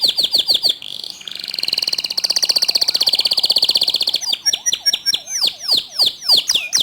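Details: Canary singing as a lure to get other canaries to sing: quick falling notes, a long buzzy trill about three seconds long, then loud sweeping syllables repeated several times a second.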